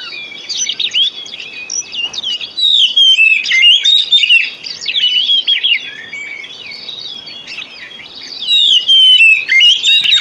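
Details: Oriental magpie-robin song from a one-hour lure track for birds that have gone silent. Dense, lively run of whistles, trills and sharp chirps in repeated loud phrases, dipping briefly before resuming.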